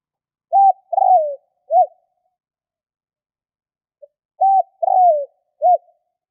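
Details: Two cooing phrases from a spotted dove about four seconds apart. Each is a clipped note, a longer falling coo and a final clipped note, mellow and low. No other sounds.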